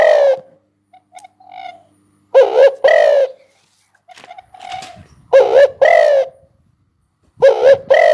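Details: Spotted dove repeating paired hollow coos about every two to three seconds, with softer, quieter cooing from another bird in the gaps between.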